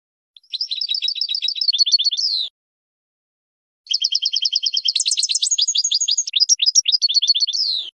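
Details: European goldfinch training song for teaching young birds: two bursts of fast, tinkling twitters and rapid trills, the second longer and more varied with buzzy high notes, on a silent background.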